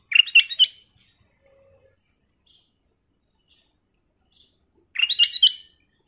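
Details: Black-crested bulbul in full 'gacor' lure song: two energetic bursts of quick, bubbly, ringing notes about four seconds apart, with near silence between them.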